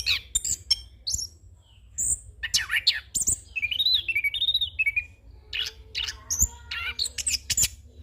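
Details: Mixed song of a young orange-headed thrush in full mimicry 'ngeroll' style, used for bird training and as a lure: abrupt chips and squeaky notes around a wavering series of looping whistles, fairly busy and cluttered.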